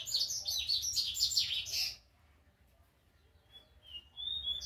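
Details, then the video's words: Young rusty-collared seedeater learning its first notes: a burst of high, scratchy twittering warbles for about two seconds, then near silence with faint thin whistles and a brief renewed note at the end. "coleira Pardinho apreendendo suas primeiras notas"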